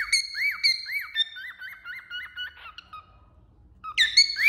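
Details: Cockatiel singing on a finger: a few big arched whistles, then a rapid string of small wavy notes sliding lower and fading, ending with a loud rising whistle.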